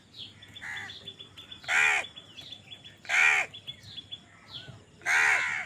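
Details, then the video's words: Harsh, nasal cawing by crows fighting over food, three strong calls and a weaker one, with thin chirps and whistles behind. "কাকের ডাক Crow Sound Crow ki Awaz Loudly | Crow bird Fight for Food"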